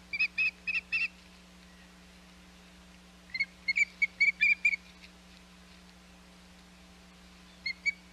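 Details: At the Hog Island nest on 21 May 2021, an osprey gives bursts of shrill whistled chirps: four quick notes, a pause, a second cluster of about seven, then two more at the end; low hum beneath.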